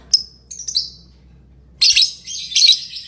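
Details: Lovebird chirping: a few thin, very high chirps and short squeaks early on, a pause, then dense, sharp, high-pitched chattering bursts at about two seconds and again near two and a half seconds.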